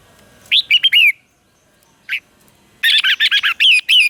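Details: Lure red-whiskered bulbul in full contest song calling wild birds: a short burst of four warbled notes, a pause with one lone note, then a rapid run of about nine bubbling whistled notes.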